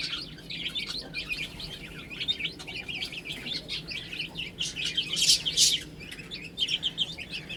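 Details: Several baby chickens eating and drinking, giving a dense stream of high, thin peeps, many overlapping and rapidly repeated, with a few louder sharp rustling bursts midway.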